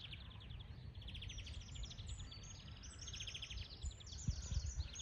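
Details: European greenfinch in the wild, a fast run of twittering trills and chattering notes, very rapid and continuous, with low rumbling noise beneath.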